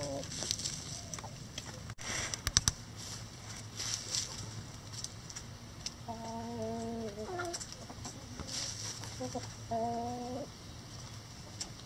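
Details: Backyard laying chickens in the run, feeding on banana leaves: after quiet rustling and pecking, two drawn-out, slightly falling, harmonic calls sound near the end, separated by a short pause.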